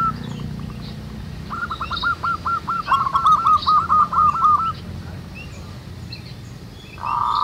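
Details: Zebra doves singing together in nature, meant to lure others into cooing: a run of rolling trilled coos in the middle, softer calls around it, and a steady noise burst at the end.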